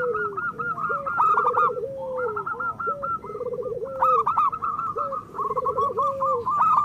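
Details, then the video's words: Perkutut, the zebra dove, in crystal-voiced song: overlapping coos, low trilled phrases ending in a sustained tone, and quick bubbling higher notes repeated almost without pause, as if several doves call together. "Perkutut lokal gacor Masteran Perkutut Suara Kristal"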